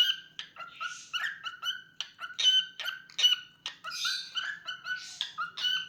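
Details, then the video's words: Pet cockatiel song: rapid strings of bright whistled chips punctuated by broader, breathy raspy notes, the phrases rising and falling in loudness across several seconds. "Adorable Cockatiel Milo's Cute Singing Moments"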